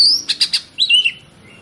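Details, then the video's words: Oriental magpie-robin (kacer) song used as a lure to trigger other kacer. A high thin whistle, then three quick harsh raspy notes, then a slurred descending whistle, all within under two seconds. "PANCINGAN KACER PALING AMPUH MERANGSANG KACER LAIN AGAR LANGSUNG BONGKAR ISIAN"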